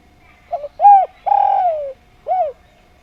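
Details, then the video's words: Javanese spotted dove, a vigorous, harmonious singer, delivers one full phrase: a soft stuttered double note, a rounded coo, a long coo sliding gently downward, then a final arched coo, clean against quiet background. "Derkuku Djawa Gacor Suara Nglaras"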